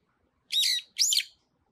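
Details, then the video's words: On a pine tree, a Brown-eared bulbul utters two strong, raspy squealing notes in quick succession, the second sweeping up then down, in an otherwise quiet setting. "소나무 위에서 노래하는 직박구리"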